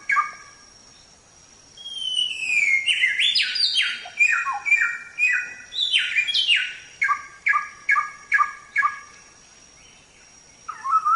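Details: Samyong song, recorded for training songbirds: a varied, loud phrase of rising and falling whistles and rapid stepped notes, ending in a string of repeated harsh, ringing notes, with a faint steady high tone behind.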